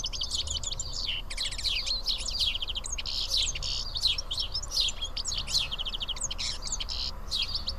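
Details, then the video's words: A flock of house sparrows, about seven birds, sits and feeds together at Karyotissa, Greece, giving dense, overlapping high chirps and short twittering notes that run without pause, with a low background hum. "Σπουργίτια (ήχος και εικόνα)"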